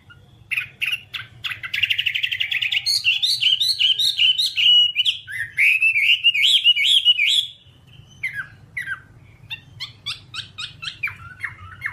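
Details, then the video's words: Whambie song played as a one-hour nonstop tutor recording for training caged birds: rapid varied chattering phrases, runs of rising and falling whistled notes about two per second, a pause near eight seconds, then scattered sharp chirps over low hum. "Masteran Whambie nonstop 1 jam"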